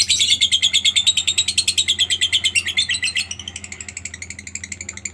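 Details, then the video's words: Lovebird calling to spur other lovebirds into singing: a fast, high, harsh chattering trill of about three notes a second, loud at first and gradually fading and thinning toward the end. "suara Lovebird yang satu ini sangat jago memancing Lovebird lain agar rajin bunyi"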